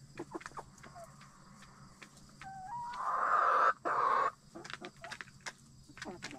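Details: Backyard chickens in their coop shortly before roosting at night. A few short clucks lead into a loud, drawn-out nasal squawk lasting about a second, broken briefly, then more quiet clucks and clicks. A low hum sits beneath.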